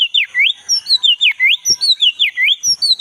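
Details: Clear, ringing whistles from a black-breasted Oriental magpie-robin, each note dipping and rising, delivered in a fast even series over three seconds. Meant as a lure for a caged bird that no longer sings.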